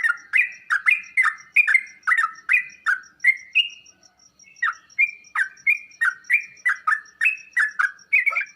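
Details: Sooty-headed bulbul song played to prompt kept bulbuls to answer and sing: a fast run of bubbly, chattering two-part notes about three per second, with a short pause near the middle. A faint steady high ticking runs beneath.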